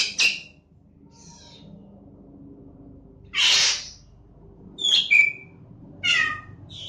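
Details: Black-winged starling recorded Friday 28 September 2018, giving bursts of harsh, scratchy notes mixed with clear high whistles and a slurred, meow-like cat-imitation phrase, with quiet pauses between phrases; Black-winged myna.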